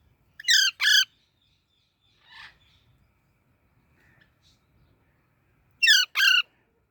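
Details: Baby parrot chirping in pairs: two quick harsh calls near the start, a faint softer sound in the middle over a low background hum, and another rasping double chirp near the end.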